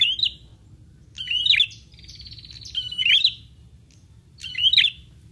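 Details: A prinia answers a lure call at once with sharp, high chirping bursts about every one and a half seconds and a brief buzzy rattle between phrases, over a faint low hum.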